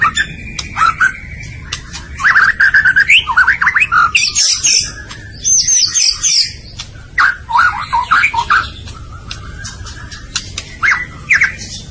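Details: White-rumped shama masteran recording: repeated bursts of slurred whistles and chatter alternating with high rasping, scratchy phrases and clicks, steady hiss behind.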